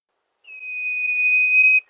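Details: Sirpu, also known as sirdung, singing as a lure: a single long, level, pure whistle held for over a second, ending in a brief sharp click.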